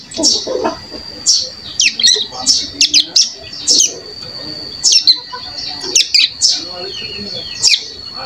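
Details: Young caged Bar-winged Prinia, one month after hatching, practising soft 'ngeriwik halus' song: a continuous irregular stream of thin high chirps and downslurred notes over eight seconds, with a faint constant high tone underneath.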